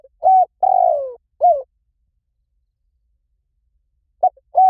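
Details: Spotted dove call for luring wild doves: a long rolling coo dropping in pitch and a short final coo, then silence, then the next phrase beginning with two short notes.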